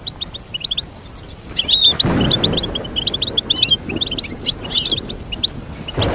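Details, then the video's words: Busy goldfinch song, chirps and twitters tumbling together at high pitch, with a whooshing noise burst around the two-second mark. "Teach your goldfinch to sing beautiful motivational songs"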